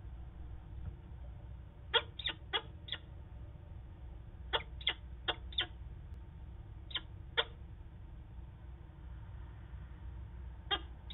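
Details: Adult male peregrine falcon in Manchester, New Hampshire, recorded early on 7 September 2018, giving short, sharp clipped notes in loose irregular pairs and runs over about nine seconds, against a steady low rumble of background noise.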